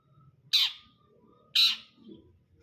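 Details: Long-tailed shrike singing in the brundol style: two loud, harsh, rasping notes exactly one second apart, each short and scratchy, with quiet low rumble between them.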